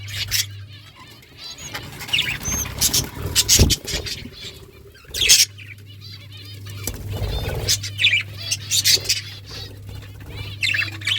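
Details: Captive budgies chatter in scattered bursts of squeaky chirps and warbles, interrupted by wing flutters and thumps, over a steady low hum.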